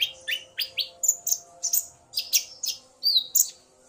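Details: Male common iora singing vigorously, stirred by a female's call, answered by the female: quick sharp chirps and short downslurred whistles, about three a second, with a steady low hum behind.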